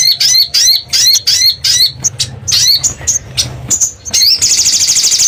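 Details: Sogon or sogok ontong lure sound from a crimson sunbird: loud, very high chirping in quick clustered bursts, a few thinner notes midway, ending in a fast, even, buzzy trill; a soft low rumble in the background.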